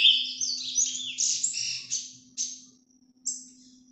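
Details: Ultramarine grosbeak giving its Paraná vinte vinte song, recorded live: a rich burst of overlapping whistled notes at first, then short separated chirps that fade away. A steady low hum runs throughout.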